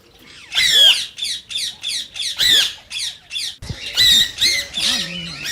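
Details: Loud, rasping squawks of a rose-ringed parakeet, said to stimulate singing and mating in other parakeets. Distinct harsh notes, some with sweeping downward tails, repeat roughly twice a second with a brief pause midway.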